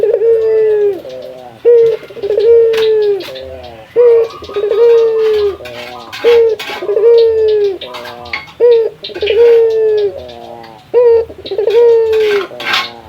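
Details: Local puter dove, a male, calls out to a rival. Repeated cycles each hold a drawn-out level coo that sags at the end, a fluttering trill-like tail and a short sharp note, about five cycles.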